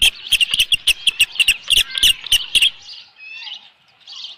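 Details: Osprey calling at its nest after a large headless fish arrives, 15 July 2018, evening: quick, high whistled chirps about three a second with clicky edges, stopping abruptly and followed by softer, faint squeals.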